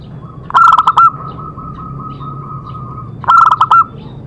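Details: Zebra dove song, used as therapy to prompt other doves to sing: two loud bursts of clipped, rapid cooing notes about three seconds apart, over a long steady mid-pitched whistle-like tone and low background hum.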